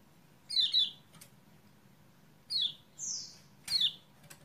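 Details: Lemon-bellied white-eye (kecial kuning) for a reluctant singer: falling high chirps, one smooth sliding whistle and a final sharp chirp over a steady hiss.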